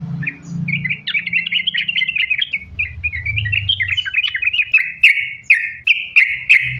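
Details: Sooty-headed bulbul song used as a lure to make bulbuls sing: a run of fast chirpy whistled notes, sliding and warbling, repeated over three a second, with low background rumble.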